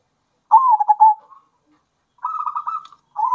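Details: Local zebra dove song meant to stir other doves' breeding drive: one bouncing stuttered coo that fades, then a softer even buzzy trill, and the start of another phrase.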